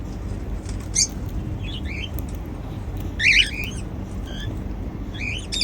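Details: Cockatiels kept as pets, singing while they eat seeds; scattered short rising chirps and a louder squawky cluster near the middle over a low steady hum.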